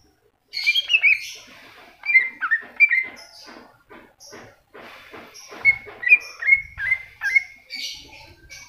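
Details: Masteran singing by a cucak hijau, the greater green leafbird: a rapid jumble of twittering notes mixed with crackly sounds, then clearer repeated whistles, with some low thumping in the background.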